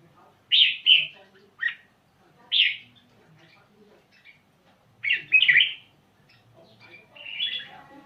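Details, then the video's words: Red-whiskered bulbul, a Vietnamese bird, delivering quick song: short bursts of warbled, chirpy notes in separate clusters, several doubled, spaced irregularly over eight seconds with soft background chatter. "ร้องรัวๆ Rapbird #นกกรงหัวจุก(เวียดนาม)"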